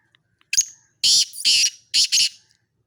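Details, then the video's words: Black francolin gives a loud, harsh, grating call: one short note, then two longer rasping notes, a pause, and two more, from a mix of excited calls. "کالا تیتر کی اواز کالا تیتر کی مستی والی مکس اوازیں"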